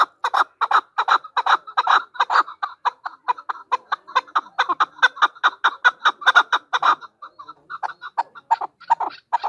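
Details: Female chukar partridge calling: a fast, uneven run of clucking chuck notes, roughly two or three per second, loud and steady, then thinning out near the end.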